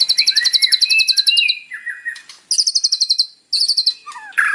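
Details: Morning song of a white-rumped shama with mimicked phrases, used to provoke a captive bird into singing: rapid pulsed high trills in bursts, interleaved with lower sliding whistles, clear and loud.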